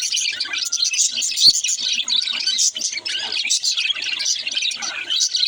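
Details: Young budgerigar warbling steadily, a dense stream of high scratchy chatter and quick squeaks with a brief sharp click near the middle, the chattering continuing without pause to the end.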